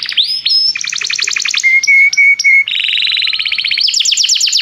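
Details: Canary song used to train singing, calling another bird in: fast chopped trills, a series of pure steady whistles, then rapid rising rolls at a higher pitch.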